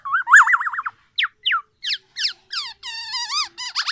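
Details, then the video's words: Tame black-naped oriole with a loud, ringing song: a rapid wavering warble, then a string of quick downslurred whistles and richer, slightly nasal notes, about eight in four seconds. "kepodang emas , black naped oriole,jinak dan gacor"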